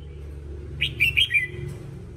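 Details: Red-whiskered bulbul training song, one quick phrase of four rippling, whistled notes rising and falling, set against a constant low hum.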